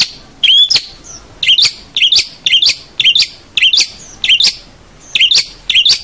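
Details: Full, energetic long-tailed shrike song for training juvenile birds: repeated short phrases of twittering high notes, each phrase about half a second long, delivered roughly twice a second.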